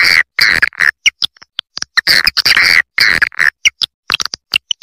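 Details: Swiftlet roosting call in the Triple Queen style: lower, throaty buzzing phrases alternate with short sharp chirps and clicks, repeated in an uneven rhythm.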